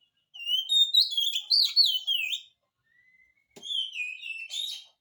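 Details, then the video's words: Lively oriental magpie-robin song meant to provoke other magpie-robins into answering: over two seconds of rapid, varied whistled phrases with sharp up-and-down slides, a soft thin note, a click, then a second falling whistled phrase. "kacer gacor, cocok untuk pancingan kacer malas bunyi, jamin 1000% langsung nyaut"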